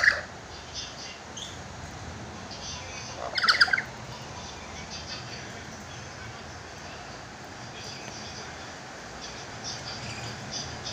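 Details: Yellow-billed lory gives one loud, harsh, screechy squawk burst midway, with a brief squawk at the start, over steady background hiss.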